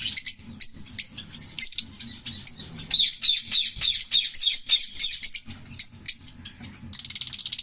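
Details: A pair of green Fischer's lovebirds, the kind known for long-duration songs, singing and chirping: dense bursts of high, harsh chirps and twittering notes in rapid runs, ending in a fast buzzy rattle.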